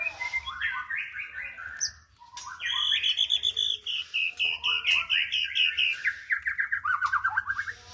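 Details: White-rumped shama singing a rich, varied song of whistled notes and fast trills, with runs of rapid repeated chips rising and falling through the middle, plus a brief pause near the second second.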